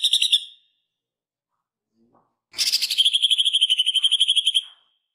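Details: Green leafbird of the jamtrok type singing a master recording for training other birds, its song filled with imitations of the pelatuk bawang woodpecker: a brief high burst, a pause, then a two-second rapid rattling trill of high pulsed notes, evenly spaced.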